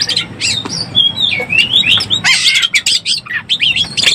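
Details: Oriental magpie-robin in breeding condition, a lure call: slurred whistles and buzzy squawks tumbling together, turning into quick harsh chattering phrases, with low hum beneath.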